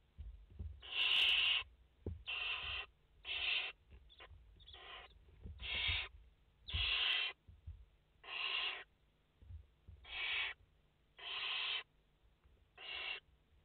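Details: Five barn owl nestlings in their nest on a live camera, 29 August 2021, giving a run of about eleven rasping, hissing bursts, each under a second, spaced irregularly with faint low thumps between.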